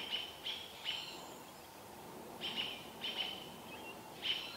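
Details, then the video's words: American robins mobbing an adult barred owl near Vancouver while an owlet watches; sharp, high chirps come in quick clusters of two or three, separated by short pauses, over a steady faint background hiss. "Baby owl watching mum being mobbed by robins"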